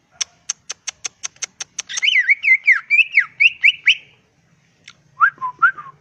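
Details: Greater green leafbird from the wild giving a full, varied provoking song. Rapid dry ticks repeated about nine times lead into a jumbled run of bending whistles and buzzy notes. Lower swooping whistles follow after a pause.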